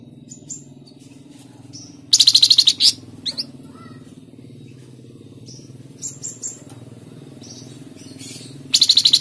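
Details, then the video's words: Flamboyan bird singing in the Tledekan Jati style, a recording used to prompt cage birds to sing: short, loud bursts of rapid, high, buzzy trilled notes, with scattered thin whistles and chips between bursts over a steady low hum. "Pancingan Burung Flamboyan | Tledekan Jati"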